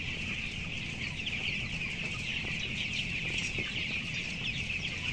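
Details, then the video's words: Fourteen-day-old broiler chicks weighing 525 grams, one of 11,000 birds in a closed house, upper floor; shrill overlapping peeps fill the air without pause, backed by a low mechanical drone. "Ayam Broiler umur 14 hari"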